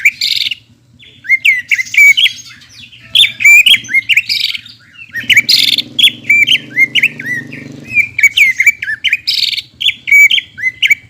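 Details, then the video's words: Greater green leafbird song meant to stimulate birds after moulting: continuous varied chattering of sharp whistled and downslurred notes, with a low humming background in the middle section. "PANCINGAN CUCAK IJO GACOR UNTUK CUCAK IJO HABIS MABUNG"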